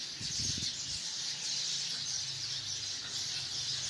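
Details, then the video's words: Dense twittering from hundreds of sparrows in a tree, a bright continuous chorus of chirps with a brief low rumble at the very start. "chirping of hundreds of sparrows in the tree"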